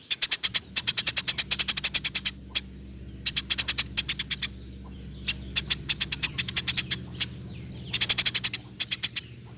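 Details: Rapid roll tembak chirping from a persistently singing Eurasian tree sparrow used to tutor other songbirds: bursts of bright, high chirps repeated quickly, separated by gaps and single notes, over a low steady hum.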